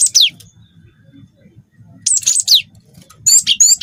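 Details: Cinereous tit singing a song filled with canary phrases: three bursts of very high, steeply falling whistled sweeps, with short trilled notes in the last burst, separated by quiet gaps and a faint low hum beneath.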